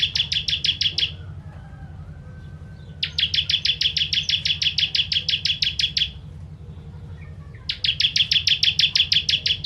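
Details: Bar-winged prinia (ciblek), a 'kristal' bird in spicy 'tembakan' style used as a tutor for contest birds, giving three bursts of rapid, buzzy, evenly repeated high notes, each about a second or more, over a steady low hum.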